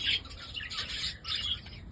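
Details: Holland budgies, a budgerigar variety, give busy bursts of high, squeaky chirping and warbling chatter. The bursts come in two waves with a brief lull between them.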